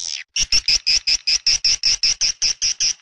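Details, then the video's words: Edible-nest swiftlet calling in a lure track for swiftlet nesting houses, PJW Old style: after a short opening note, a quick, regular string of thin, bright chirps, roughly two to three each second. "SP WALET PJW OLD ORIGINAL TERBARU 2024"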